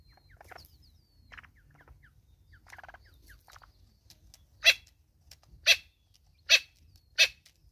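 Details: Natal spurfowl, a mother with chicks, in South Africa: soft scattered notes at first, then four loud, harsh, raucous bursts roughly one second apart.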